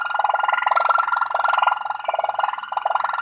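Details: Waterslager (Malinois) canary song: a dense, rapid rolling trill of low bubbling notes, pulsing about three to four times a second with brief dips, steady and continuous.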